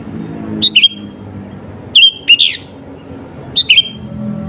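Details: Sooty-headed bulbul singing to provoke rival birds. Three bursts of quick, liquid, slightly descending notes, the middle burst longest, are separated by gaps of over a second, over a quiet hum.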